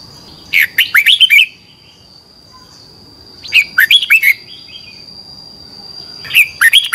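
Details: Red-whiskered bulbul morning song, competition singing in 'twisted voice' style used as a training lure. Three short bright warbled phrases, each about a second of fast rising and falling whistles, spaced roughly three seconds apart over a steady high hum.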